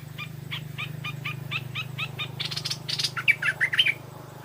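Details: Wild Stripe-throated bulbul answering a decoy in the evening: evenly spaced clipped notes give way to a loud, tumbling burst of warbled, slurred phrases, with a constant low hum beneath.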